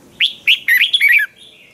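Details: A single energetic phrase from a Red-whiskered bulbul in Thailand, sung as a training song. About six quick whistled notes rise and then drop in a clear, crisp burst.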